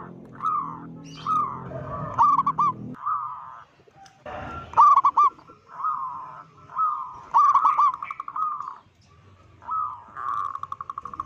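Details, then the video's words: Loud local zebra dove calling, said to provoke and panic other zebra doves; a series of short rolling coos with bubbling trilled endings, separated by brief pauses, plus some low background rumble. "Perkutut lokal gacor suara besar - Panggilan perkutut Ampuh BIKIN PANIK perkutut lain"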